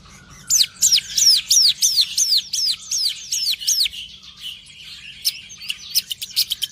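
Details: A long-tailed shrike sunning in the morning delivers nine clear, high, down-slurred whistled notes in steady rhythm, followed by a scatter of quick sharp clicks and ticks.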